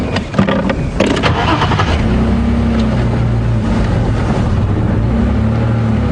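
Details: A car engine starts and revs, then settles into a steady rumbling idle on a morning safari drive at Djuma Game Reserve; no animal calls.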